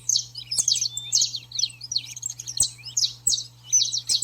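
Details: 'Baderna' song of the saffron finch, meant to excite and train a pet bird: a jumbled, fast tangle of high twittering and buzzy notes with a few thin sliding whistles, over a constant low hum.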